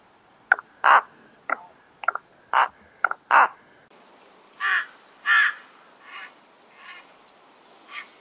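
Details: Several rooks cawing in quick succession, short clipped harsh calls alternating with longer grating caws, then fainter, more distant caws trailing off, suggesting a group.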